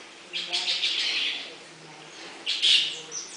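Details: Bali myna at Avifauna bird park in Alphen aan den Rijn, the Netherlands: two bursts of harsh, chattering high-pitched notes, the first longer and rasping, the second a short loud squawk after a pause.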